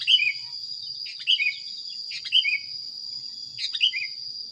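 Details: Sooty-headed bulbul in a training recording, repeating bright two-part whistled phrases about once a second, the second part lower, over a loud continuous high-pitched whine.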